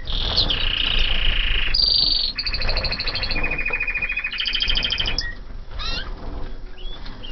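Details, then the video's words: Canaries of 2014 in a flight aviary singing a varied song of sustained rolls and rapid pulsed trills at several pitches, ending in sweeping whistled notes, with low background hum. "CANARIOS DE 2014 EN VOLADERA"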